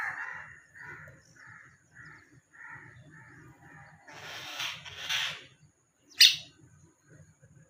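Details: Baby common myna fallen from its nest: a series of short, evenly spaced harsh notes, about two per second, building into two louder hissing rasps and one sharp, sudden screech.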